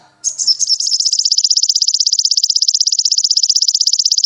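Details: Sogon song used as a master recording to train caged birds: after a brief soft start, a long, loud, buzzy high trill of rapid, evenly repeated notes continues without a break.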